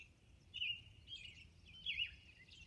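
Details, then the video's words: Robin at dawn, Orcas Island, singing three slurred whistled phrases spaced about half a second apart, thin and high, against a faint low rumble. "Dawn Robin Song ~ Orcas Island"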